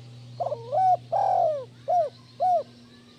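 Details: Spotted dove (tekukur) phrase used to rouse lazy doves into song: a stammered first note, a long falling coo, then two short rounded coos, with a steady low hum underneath.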